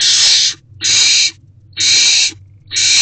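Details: Owls in a wild nest box at night, 16 March 2024, 8:26 pm, as a mouse is delivered. Four loud, broad hissing rasps, about half a second each, are spaced nearly a second apart.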